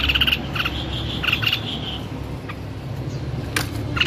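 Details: White-necked babbler singing: rapid bright whistled notes in quick pairs and triplets, then a brief lull before the notes resume, with a low droning hum underneath.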